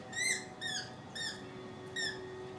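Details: Rainbow lorikeet on a balcony giving four short, squeaky, downward-sliding chirps spaced about half a second apart, with a steady faint tone behind.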